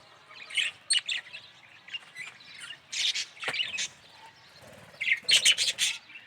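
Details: A yellow budgerigar chatters steadily with scratchy chirps, squawks and warbles, ending in a loud buzzy trilled burst.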